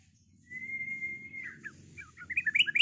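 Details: White-rumped shama used to provoke other birds into fighting and singing: one long steady whistle, then soft twitters building into louder sharp notes, over a low background rumble.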